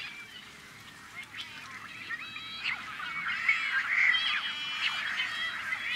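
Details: Tricolored Blackbird nesting colony on a Central Valley farm, California, May 2012. The chorus starts softer and swells, with rasping, slurred nasal notes and clipped squawks piling up from many rare blackbirds.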